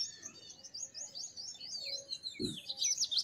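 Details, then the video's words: Thin, high twittering song of a purple sunbird, quick squeaky notes running continuously over a noisier background, with a dull low thump midway. "Purple Sunbird Songs - Purple Sunbird Sound - Purple Sunbird Call - Purple Sunbird Singing"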